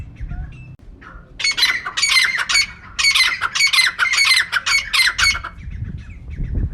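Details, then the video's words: Faint short notes and low rumble lead into a burst of loud, harsh squawks from a female francolin, repeated quickly for about four seconds. The recording serves as a bird-catching lure. "Female Teetar ka clear and saaf awaz"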